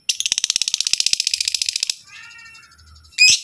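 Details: Caged lovebird calling to make other lovebirds answer: a loud, rapid run of about twenty harsh, evenly spaced chirps in under two seconds, then soft fading twitters and a sudden loud screech.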